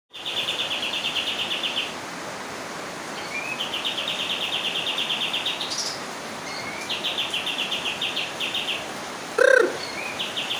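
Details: A bird whose call is likened to gunfire gives long rapid rattling bursts of sharp, even, high notes, each lasting a second or two and repeated, over steady loud hiss of background noise, with one brief louder bird note.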